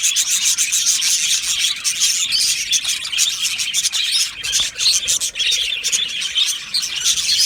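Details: Colony of Budgerigars in an aviary giving a dense, unbroken wash of high chirps, squeaky twitters and warbling chatter from many birds at once, with short sharp notes overlapping throughout and no clear pauses.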